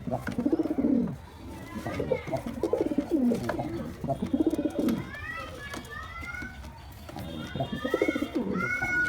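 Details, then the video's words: Low gurgling coos from a white pigeon in courtship, repeated in rhythmic bursts, while thin upward-sweeping whistles from other birds sound in the background. "Pigeon mating call"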